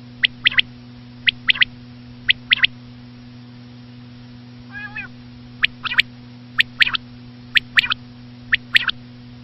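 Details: A common quail repeats its quick three-note phrase three times, pauses for a brief wavering nasal call, then resumes with four more evenly spaced triplets. Faint steady hum in the background.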